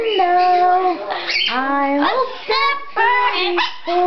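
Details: Pet blue-fronted amazon singing indoors after a person asks it to perform, with voice-like, strongly harmonic notes that slide up and down, held tones broken by short gaps every second or so.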